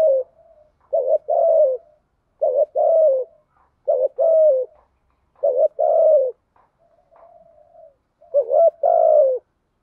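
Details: Spotted dove kept as a decoy, cooing to provoke wild doves into fighting; short bursts of low, hoarse coos come in paired and triple phrases about every one and a half seconds, with soft quieter notes between.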